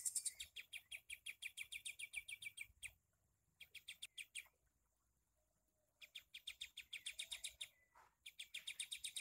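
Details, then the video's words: Sooty-headed bulbul with a split beak, used as a tutor bird for songbirds, repeating rapid high chattering phrases in the shooting style, several evenly pulsed bursts broken by short silences, with a faint lower note near the end. "KAPAS TEMBAK PARUH SOBEK"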